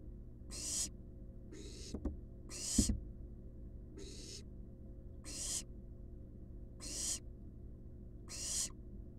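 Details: Wild barn owl nestlings resting in a nest box: a run of seven rasping hisses roughly every 1.2 seconds, with a couple of sharp knocks or scrapes in between, over low hum.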